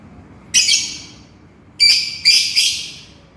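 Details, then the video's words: Lovebird calling for its companion with three loud, harsh, high-pitched screeches, the last two running close together. "SUARA BURUNG LOVEBIRD MEMANGGIL TEMANNYA"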